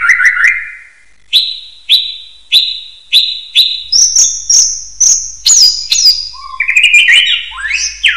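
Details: Common hill myna whistling, used as a training recording for other birds: after an opening rising slur, a series of clear, sharp whistled notes repeated about every half second, climbing in pitch, ending in a jumble of varied whistles.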